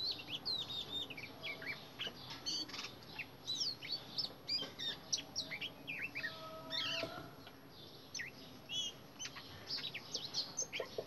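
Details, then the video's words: Indian robin singing in a garden: quick, high, sweet chirps and short warbled phrases in bursts, with other garden birds chirping faintly. "Indian robin singing"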